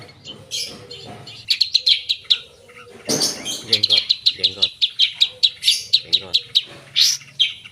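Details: Long-tailed shrike with full mimicry fill-in song: rapid series of sharp, high chirped notes in quick bursts, some harsh buzzy phrases, interspersed with a few low-pitched other sounds.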